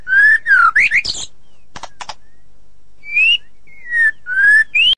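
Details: White-rumped shama giving long slurred whistles and sweeping notes, a few dry clicks, then more drawn-out rising and falling whistles.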